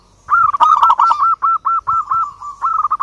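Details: Local zebra dove in full song, calling to a rival: a quick run of soft, rounded cooing notes, about a dozen in three seconds, at an even mid pitch with brief gaps.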